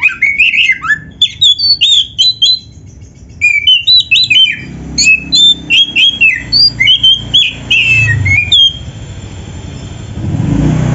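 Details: Energetic Oriental magpie-robin song used as a training recording for other birds: rich, varied whistled notes, sharp upslurs and downslurs delivered in quick bursts with brief pauses, continuing for about nine seconds before fading.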